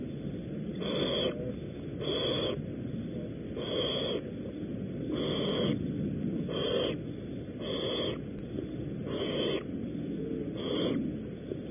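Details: Eight regular, short, breathy screech-hisses about 1.3 seconds apart from barn owls at their nest at Audubon Starr Ranch, California, where prey is being delivered, over a continuous low background hum.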